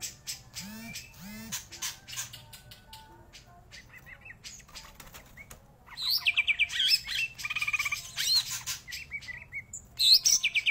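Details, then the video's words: Greater green leafbird with scattered high chips and a couple of soft low notes at first, then from midway a loud flowing run of sweet rising and falling whistles mixed with rapid chattering trills. "Cicak Ijo Gacor Tenan"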